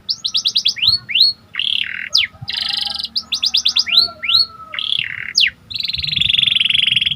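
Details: Panda canary singing vigorously (gacor), a song used to raise excitement: quick runs of downslurred whistled notes, buzzy rolling trills and upswept chips, with phrases repeating and ending in a long buzzy roll.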